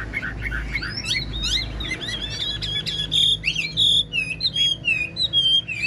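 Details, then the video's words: Caged Chinese hwamei, an old wild-caught bird praised for its fine voice, sings a busy series of quick whistles. These lead into clear ringing sustained notes and repeated looping phrases, with a low hum in the background. "Chim già rừng chất giọng cực hay"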